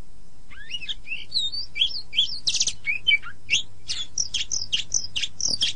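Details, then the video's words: Oriental magpie-robin (kacer) master song used to train caged songbirds, best done morning or evening; rapid varied whistled phrases with sweeps and buzzy rattles, jumbled notes following quickly over a low steady hum. "SUARA BURUNG - Masteran Terbaik Kacer"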